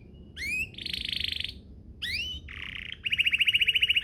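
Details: Canary song used as a lure to get other canaries singing: rising whistled slurs alternate with rapid buzzy trills and a fast repeated chip series, loud and high-pitched.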